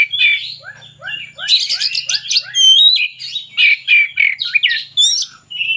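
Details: Magpie-robin song for luring idle birds to sing: a string of short falling notes repeated steadily, then loud harsh bursts, sweeping whistles and varied chirps in quick separate phrases, a faint low rumble beneath.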